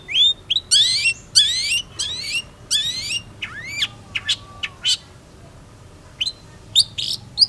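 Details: Singing long-tailed shrike delivering loud rising whistles and harsh upslurred notes in a burst, then sparser sharp clicks and chips separated by quiet pauses.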